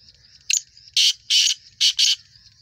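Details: ['Black francolin calling: a short scratchy note, then four loud, harsh, grating notes in two pairs within about one and a half seconds, over a steady high insect drone.']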